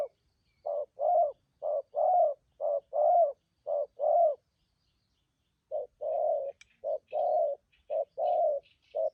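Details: Spotted doves, a group of freshly caught wild birds from Vietnam, sounding their brisk 'thúc gù' coo. Paired short and drawn-out hollow notes run in a series, pause about a second and a half, then resume, with light chirps.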